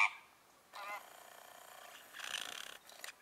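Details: American flamingo (Phoenicopterus ruber) at the Lagunska ribogojnica nature reserve on 4 January 2024, giving nasal, goose-like gabbling honks in two rough bursts of rapid pulses, with a faint steady hiss between them.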